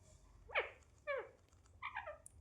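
Indian ringneck parakeet giving three short, harsh, squawky chirps about half a second apart, each bending downward, in a quiet room.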